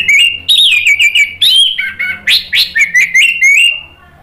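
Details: Caged orange-headed thrush singing loudly and continuously, used to provoke other birds into singing: a rapid, varied run of clear whistled phrases, sliding and warbling notes in quick bursts, delivered without pause for about four seconds.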